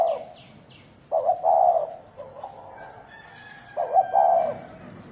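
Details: Cooing of a thổ đồng spotted dove in a fight: two soft, low phrases, each with a broken stutter then a sustained hoot, a few seconds apart, with high faint chirps and a thin whistle between.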